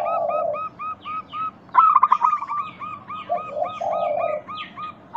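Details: A lure recording of local zebra doves, intended to prompt other doves to sing: evenly spaced, ringing coo notes lead into a quick stuttering trill, followed by deeper murmured coos and faint, thin chirps from other birds.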